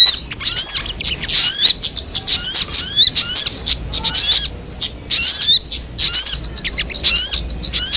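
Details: Crested jay: repeated groups of scratchy high notes, each carrying a clear upslurred whistle, bursts arriving roughly once a second with short gaps between.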